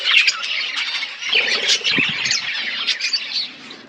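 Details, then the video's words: Colony of caged budgerigars kept together in a colony setup, giving a dense, continuous chatter of overlapping chirps and squawks, bright and scratchy, with no pauses across the whole stretch. "Budgies colony setup birds chirping sound"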